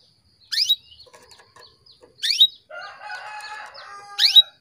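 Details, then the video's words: Female canary calling to stimulate males into breeding condition: three sharp down-slurred chips about every two seconds, with a softer jumble of warbling notes heard between the later ones. "PANCINGAN KENARI BETINA MEMANGGIL JANTAN"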